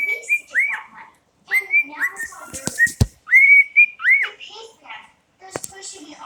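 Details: September whistled by a pet cockatiel: repeated phrases of upward-sweeping and steady clear notes, broken by sharp knocking sounds around three seconds and quiet stretches between phrases.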